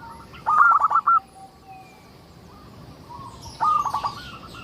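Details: Local zebra dove song used to lure others of its kind into singing: two quick, bubbling coo phrases of clustered pulses separated by a quiet pause, with distant thin chirps of other birds.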